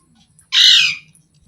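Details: Green parrot giving a single harsh, raspy squawk lasting about half a second, broad and noisy, with quiet background otherwise.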